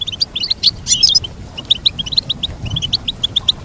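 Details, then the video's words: Goldfinch song to train a pet goldfinch: a dense tumbling flurry of high chirps, then a slower, even series of short bright notes. "Teach your goldfinch to sing beautiful motivational songs"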